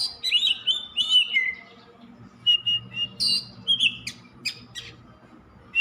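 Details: Oriental magpie-robin singing nonstop, a kept songbird: bright whistled phrases with clicks and sharp chips, bursts of varied notes between short pauses, a low hum underneath.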